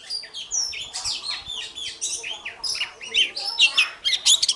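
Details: Magpie-robin morning contest song, busy and layered: overlapping chattering notes, scratchy slurs and whistles in a continuous jumble, ending in brighter sharp whistles.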